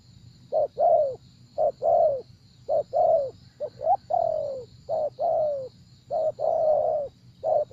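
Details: Spotted dove cooing steadily, short-long note pairs ending in descending slurs, about seven phrases, with a faint continuous high tone and low background rumble.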